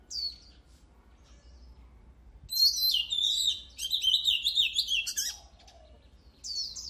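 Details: A short whistled note opens. After a pause comes a loud, dense phrase of fast-changing whistles, trills and buzzy notes lasting about two and a half seconds, then a brief soft note. The singer is an oriental magpie-robin, recorded in 2023 for song training.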